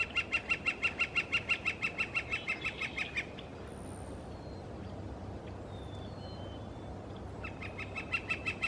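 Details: Red-shafted northern flicker calling on a west coast morning in British Columbia: a rapid, even run of loud sharp notes for about three seconds, a pause filled by thin whistles from other birds, then the run resumes.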